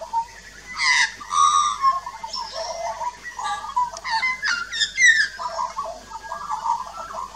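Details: Australian magpie duet, an adult and a juvenile at a backyard birdbath, filmed 2 March 2018 with a Nikon Coolpix P900: loud rich carolling with harsh bursts, fluting whistles and gurgles, two voices overlapping, fading into softer warbling.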